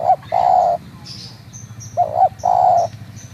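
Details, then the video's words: Spotted dove at Munjung Agung, Tegal, giving two cooing phrases, each a short note leading into a drawn-out coo, with thin high whistles of other birds in the background. "Suara panggilan tekukur lokal"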